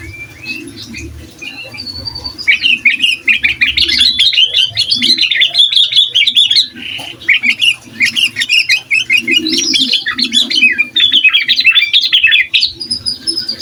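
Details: Sooty-headed bulbul singing nonstop gacor song, a master recording to provoke other bulbuls: long run of fast, chattering, warbled whistles with short breaks, and a faint low hum underneath.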